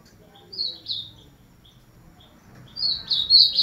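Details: Ultramarine grosbeak (azulão), 'máquina' singer: two short high whistled notes, a pause with soft faint chips, then a loud rich warbled burst starting the next phrase.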